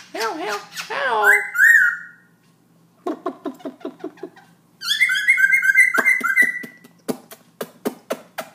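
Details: Night song of a Black-throated laughingthrush at 11pm, singing without pause: wavering harmonic whistles and a warbled phrase, a run of rapid repeated notes, then a long trilled passage followed by sharp ticking notes; low hum in the background.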